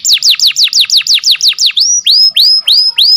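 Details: Tutor song of a canary for silent birds: a quick run of falling whistled notes, then a slower series of rising, level-ending whistles.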